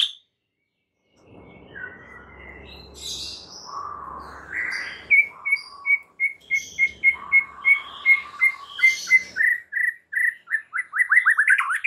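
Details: White-rumped shama lure song for stressed captive birds: scattered whistles over low background noise, then a fast series of bright repeated chirps quickening toward the end.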